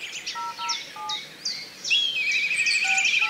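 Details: Black kite giving a shivering, wavy whistle that runs to the end, after a scatter of quick high chirps and a few soft low tones from other birds.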